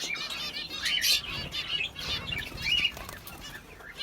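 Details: Several sparrows twitter in a dense, bright chatter of quick, high chirps that rise and fall in bursts, with some low flutter beneath.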